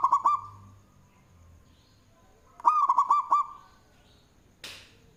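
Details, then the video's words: Local zebra dove with a loud song (manggung), suitable as a lure: two rolling cooing phrases of quick repeated notes, followed by a brief harsh rustling noise near the end. "Perkutut Lokal suara BESAR Manggung, Cocok untuk pancingan"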